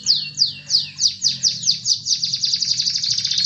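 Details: Canary song used to stir a rarely singing canary into full song: a series of high whistled downward-sweeping notes, then a faster buzzy trill of repeated notes, with a low steady hum underneath.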